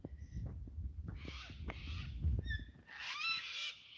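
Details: On a Tuesday morning on a homestead farm, cockatoos squawking as they fly over near breakfast time give two loud, harsh, rasping squawks, each under a second. Thin whistled notes from other birds, possibly parrots, and low rumbling handling noise are also heard.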